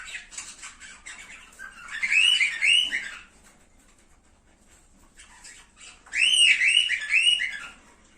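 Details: Cockatiel warbling used to encourage breeding: two loud bursts of rising and falling warbled notes separated by a quieter gap of soft scratchy chirps.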